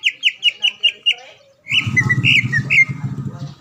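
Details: Greater green leafbird kept in a cage, a champion bird from the Palembang area, on a training recording: a run of six sharp repeated chirps, then varied whistled notes over a low rumbling background.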